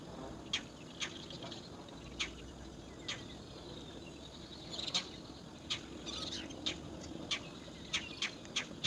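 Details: Three roller chicks in a nest hole, waiting for their mother to return from foraging, give short harsh rasping calls at irregular intervals, some in quick pairs, over a steady outdoor hiss.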